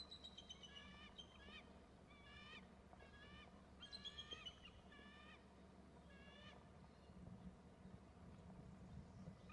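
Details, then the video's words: Two eagles call together after one flies in from the right and perches next to the other, giving bursts of high, thin, piping notes that fall slightly in pitch, several per second in uneven runs, over a steady low hum and wind. "perches next to the other & both call"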